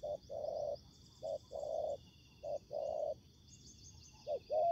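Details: Spotted dove cooing at a ground trap where a decoy met a wild fighting bird. Quieter, soft coos in short-long pairs, with thin insect-like buzzing high above.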